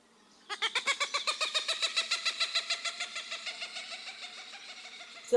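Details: Cooper's Hawk, a forest hawk adapted to flying quickly between trees to catch small birds, gives its distinctive laughing call: a harsh, nasal cackle of about twenty-five evenly spaced notes, roughly four per second, fading slightly toward the end.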